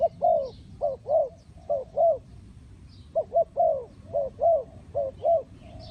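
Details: Spotted dove, used as a lure for trapping, giving soft low cooing phrases: two or three quick coos then a longer rolling coo, repeated in similar groups, with a quiet background.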